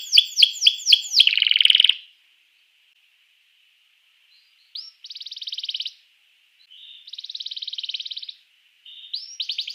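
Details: Domestic canary singing to prompt other canaries to sing. Quick sweeping notes run into a brief trill, then silence, then two long, dense, buzzy rattling trills with pauses, and a fresh burst of sweeping notes at the end.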